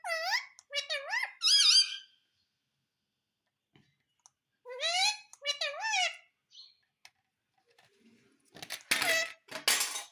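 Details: Indian ringneck parakeet at home, taught to say mummy and papa: three short speech-like whistled phrases, then two more after a pause, ending in rougher harsh squawks mixed with clicks.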